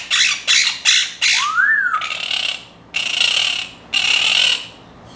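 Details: Pet Timneh African grey, an ex-breeder growing comfortable indoors, perched by a window near Quaker parrots and starting to copy noises; four short loud raspy squawks, a rising-then-falling whistle, then three longer harsh screeches about a second apart.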